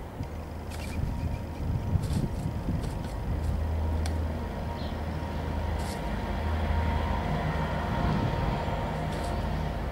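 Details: Continuous low traffic rumble with engine drone and a few faint knocks.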